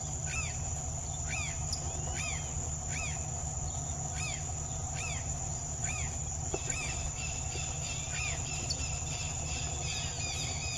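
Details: Young Vermilion flycatcher (Pyrocephalus rubinus), wild in the Atlantic Forest, giving short, sharp, up-and-down call notes about once a second over a steady low rumble of wind or distant noise.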